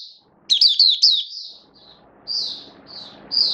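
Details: Caged oriental white-eye kept as a hobby songbird, recorded 19 September 2022 in build-up form: a rapid burst of bright, twittering high notes, then short separate chirps after a pause, over a faint low room hum.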